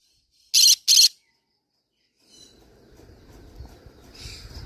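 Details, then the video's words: One loud pair of rasping screeches from a green-cheeked conure, followed by low rumbling background noise and a faint softer call. "green cheek conure parrot sound"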